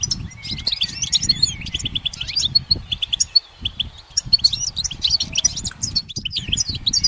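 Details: Perched goldfinch pouring out a long, fast twittering song of high chirps, trills and buzzy slurred notes, nearly continuous, over faint low rumbling background.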